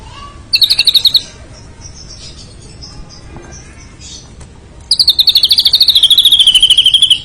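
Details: White-rumped shama singing a short high rattling trill, a quiet pause with soft notes, then a long rapid trill of high ticking notes that slowly drops in pitch.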